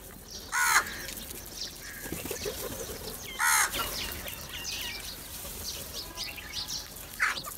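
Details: Crows gathering together for food give two hoarse, strained caws about three seconds apart, among a chorus of small chirping birds and outdoor noise.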